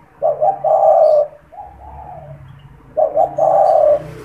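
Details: Cooing caged spotted dove used as a lure for trapping wild doves; a phrase of clipped notes and a long coo, a softer partial phrase, then another full coo, with a low hum underneath.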